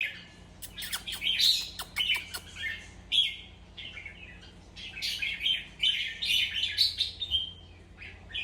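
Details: Red-whiskered bulbul song played to excite other bulbuls: bright chirpy whistled phrases around the upper-middle range, in bursts with short gaps, mixed with sharp clicking notes and a low hum beneath.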